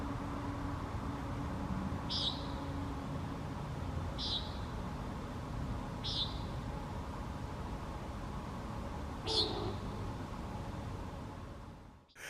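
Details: A Common Nighthawk in Texas gives its daytime call: four short, nasal, buzzy peent notes spaced about two to three seconds apart, over a steady low background rumble.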